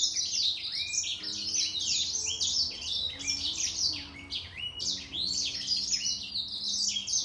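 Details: Grey singer finch dueling in song with a green singer. Rapid, high, sweet phrases of falling slurred whistles and chattering trills run on continuously, with both singers layered together.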